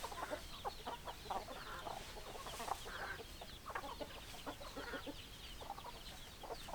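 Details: Chicken flock clucking at moderate volume: scattered short clucks and a few drawn-out squawks over almost seven seconds, with steady background hiss.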